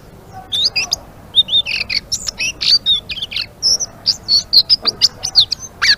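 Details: Blue-winged leafbird singing vigorously in the ngeriwik style: a fast, dense chatter of sharp, high, slurred chirps and squeaky notes, packed tightly together with barely a pause.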